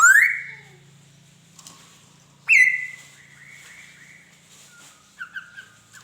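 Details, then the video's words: Laughingthrush song: two loud, rising whistles that swoop up and then hold steady, with softer warbled notes between them, over a low steady hum. "Tiếng Chim Khứu hót"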